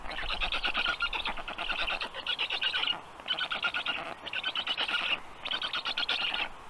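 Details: Black stork nestlings produce grating, wheezy calls in bursts of about a second, separated by short gaps, against quiet forest background noise.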